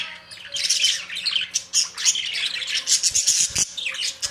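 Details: Budgerigar chatter, dense and continuous: raspy squawks mixed with bright chirps and warbled notes, a couple of soft knocks near the end.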